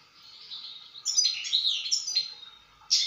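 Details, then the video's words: Song of a European goldfinch, a fast liquid twitter of chirps and short rolling trills mostly high-pitched, rising in volume after the first second and ending on a sharp burst. "استمتع مع طائر الحسون"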